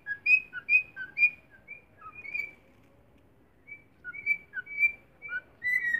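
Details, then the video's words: Young cockatiel practising its song: clear, short whistled notes alternating between two pitches, delivered in quick phrases, a pause, then another run ending in a longer slurred whistle. "Calopsita Cantando"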